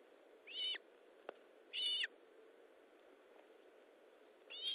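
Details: Osprey at the nest during feeding, 19 July 2012, 9:43, giving three short, bright whistled notes roughly every 1.3 to 2.5 seconds, each slightly falling at the end, plus one sharp click.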